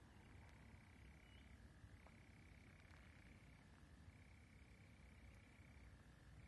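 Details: European nightjar, one of two wild birds singing at Orrmossen bog in Nacka near Stockholm, Sweden, on 31 May 2020: an unbroken mechanical churr held on one level, dropping briefly to a lower pitch several times, over a low background rumble.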